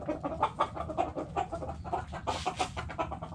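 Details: Hens in a backyard coop clucking: a rapid, uneven series of short, low, throaty clucks, several per second. A noisy rustling burst comes midway, over a steady low background hum.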